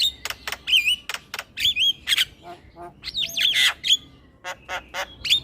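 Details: Male black-winged starling song meant to lure other starlings, mixing sharp clicks, rasping squawks and wavering whistles that rise and fall, with a harsh buzzy burst midway.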